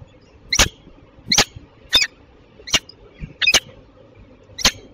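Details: At Tilburg Westpoint on 27 June 2024, a Belgian female peregrine falcon gives six harsh, scratchy calls spaced roughly every half to one second, some doubled, over a faint constant hum.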